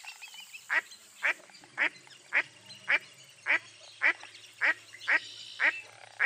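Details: Following a brief quiet start, a run of evenly spaced harsh quacks from a mottled duck, nearly two per second, over low background hum.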